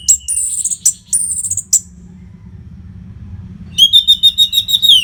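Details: Masteran song of an orange-headed thrush for keeping fighter birds fit. Two long, high buzzy trills open the clip, and after a pause comes a fast rattling series of repeated notes.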